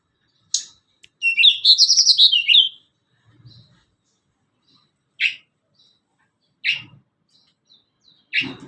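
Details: Tledekan gunung (blood-breasted flowerpecker) song used as a lure to train young or adult birds: a rapid high twittering phrase of thin wavering notes, then sharp single chips every second or so with long silences between.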